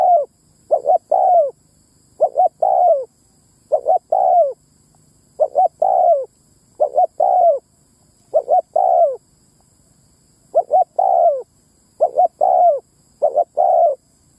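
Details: Spotted dove ground lure call used to draw out male and female doves: repeated cooing phrases of two short notes and a longer, falling note, roughly every one and a half seconds, with a quiet background.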